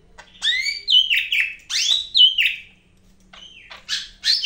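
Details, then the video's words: Greater green leafbird of the Medan type pouring out loud, fluid song: arching whistled slurs that rise and fall in quick sequence, a short pause, then sharper high notes. "BURUNG CAK IJO MEDAN GACOR NGAMUK"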